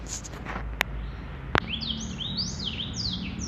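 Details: Male black-throated canary singing: after two sharp clicks, a run of quick whistled notes begins midway, each sweeping up or down in slurred, overlapping phrases high in pitch.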